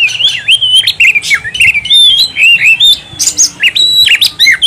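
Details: Oriental magpie-robin singing in energetic ngobra style: continuous varied whistled notes, rising and falling slurs and quick trills in a fast unbroken stream, over faint low background hum.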